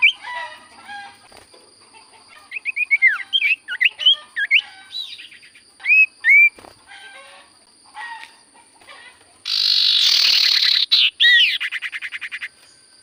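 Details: Common iora, known as sirtu cipoh, singing: assorted curving whistles and chirps, then a loud harsh hissing burst followed by a rattling stutter fading out; steady high tones in the background.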